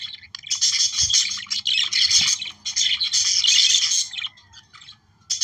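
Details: Australian parakeet song, or budgerigar warble, used to encourage breeding: lively bursts of buzzy chattering and squeaky notes, a few soft taps, and a quieter stretch near the end.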